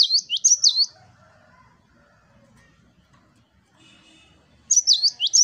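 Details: Gelatik batu (cinereous tit) giving its "wucit wucit" song: a short run of swooping whistled notes, several seconds of near quiet with faint background sounds, then another run of the same high, bouncy whistles.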